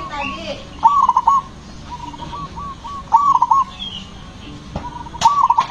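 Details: Loud zebra dove whose song rhythm spurs other zebra doves into singing. Three ringing phrases of rapid coos about two seconds apart, with a thinner answering coo series heard in between.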